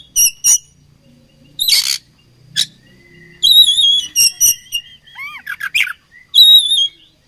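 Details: Oriental magpie-robin from Indonesia, a fighting bird, alternating clear quavering high whistles with short harsh buzzes, pausing, then adding rising slurred notes and a final wavering whistle.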